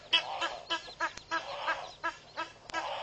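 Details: A pair of Egyptian geese at a waterhole in Mashatu Game Reserve, Botswana, guarding their goslings in January, giving loud, rasping, irregular honks in rapid succession, each harsh and broad, with barely a pause between them.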